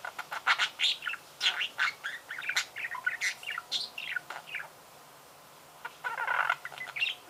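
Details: Budgerigar song of rapid clicks, chirps and scratchy squeaks in a chattering stream, a short silence, then a dense buzzy burst.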